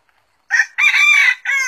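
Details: Red junglefowl crowing while wild junglefowl come to a lure: a loud, harmonic rooster crow, a short opening note, then a long sustained strained middle section and a clipped final note, clean and close with no background.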